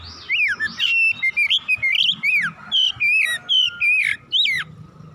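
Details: Agitated oriental magpie-robin delivering a dense stream of loud slurred whistles, rising and falling arches packed closely together with brief gaps, a continuous energetic full-repertoire outpouring.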